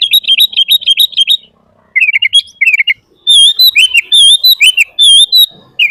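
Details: Gacor sooty-headed bulbul singing full isian, played as master and lure for kutilang: a fast trill of sharp chirps, a short pause, choppy lower phrases, then loud, ringing whistled notes repeated in a quick sequence.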